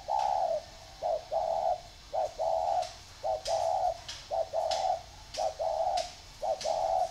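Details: Caged spotted doves kept in a round bamboo cage and an iron cage; steady cooing phrases of a few low, hollow notes each, with a short pause between phrases. Indoor room tone underneath.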